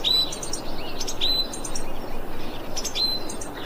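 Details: Thrush calling on 25 February 2021: three thin, high, level whistles, each under half a second, spaced roughly every 1.3 seconds over a steady background hiss.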